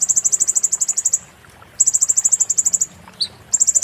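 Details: Konin, a Purple-throated sunbird, singing "muntah beling" tutor song for shamas and magpie-robins: long runs of very high, evenly spaced ticking notes, about a second each, with a brief lower chip between.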